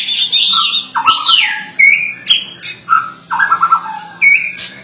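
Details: Murai batu, or white-rumped shama, singing gacor: a continuous medley of varied whistled phrases, some sliding down, some held low and steady, others short and high, over a quiet low hum.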